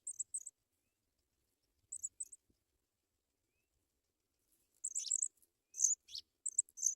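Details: African pipit chicks at the nest, fed white butterflies by adults; short paired high squeaks separated by silent gaps, then a busier cluster of sharp chirps and a few downward-sweeping notes.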